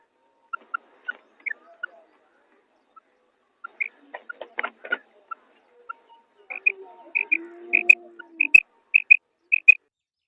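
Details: Female quail: scattered lower single notes and clicks, then loud bright paired chirps repeated quickly, over a brief low humming tone.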